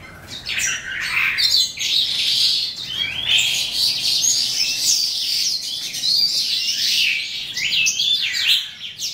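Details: Eastern calandra lark (Melanocorypha calandra psammochroa) singing at the end of the day: a continuous, rich stream of twittering, buzzy and chirping notes, high-pitched and varied, with no break throughout.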